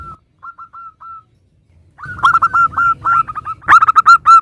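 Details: Local Zebra dove song for prompting others to reply: a few faint distant notes first, then louder rapid runs of hooked, ringing notes with rising strength toward the end.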